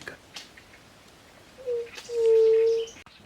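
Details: White-tipped Dove (Leptotila verreauxi) singing hidden in foliage of a grove in a rural area of central Argentina: a low, hollow two-part hoot, a short soft note then a long steady moan like breath over a bottle, faint rustling behind.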